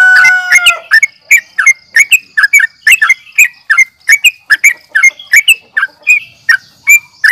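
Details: Yellow-vented bulbul fighting call: it opens with a few clear whistled tones, then quick, sharp chirps repeated more than twice a second, uneven in spacing, over a faint steady high hum.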